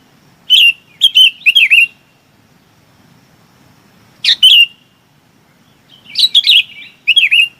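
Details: Bulbul gathering its flock with clusters of chirpy, slurred notes, three quick ones first, then a single phrase and a final busier run of bubbly, falling chirps.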